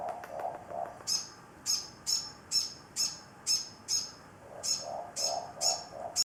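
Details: An older morepork perched on a container's edge, talking continuously to an injured morepork with a broken wing as if comforting it: thin high chirps repeated about twice a second, over soft low hooting notes.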